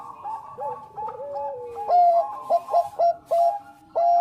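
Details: Lure song of a Bangkok zebra dove. Softer rolling coos from other birds open, then a loud foreground dove gives a string of short, evenly spaced staccato coos.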